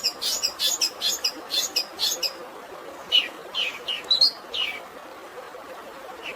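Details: Long-tailed shrike song imitating fighting sparrows, with natural water sounds: a rapid string of harsh, scratchy chirps for two seconds, then scattered, lower rasping notes and a pause, over steady water noise.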